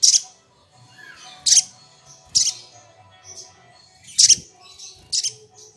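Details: Sunbird singing energetically, used as a lure to call rivals and provoke them: sharp, very high piercing bursts of notes roughly every second, with faint softer twitters in between and a quiet low hum underneath.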